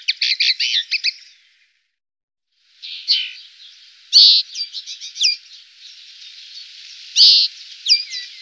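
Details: Goldfinch from the Tablas de Daimiel and Villarrubia area of the La Mancha plain: a fast tinkling trill, silence, then scattered harsh chirps and slurred notes over a steady hissing background.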